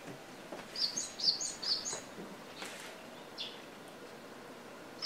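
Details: Japanese tit at a home setting, camera recording with home ambience; three quick high piping notes early on, then mostly quiet background hiss with one more note at the very end.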